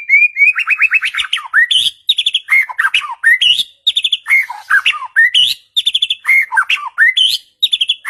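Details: White-rumped shama song played to provoke a silent bird into replying: rapid varied phrases of clear whistles, sharp chips and rattling trills, some notes repeated in quick runs, continuous and loud with brief pauses.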